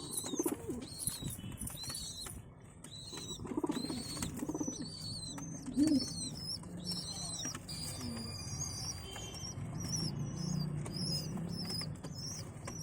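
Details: Adult pigeons feeding their young, the chicks giving high, squeaky, slightly wavering calls in quick runs with brief pauses, while deeper throaty coos and shuffling rumble underneath.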